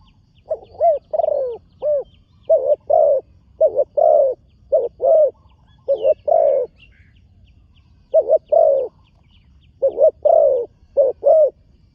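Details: Young spotted dove in training, on its first time at a dirt competition ground. It gives loud, low, hollow coos in paired and triple bursts spread across the recording, with quiet gaps between phrases.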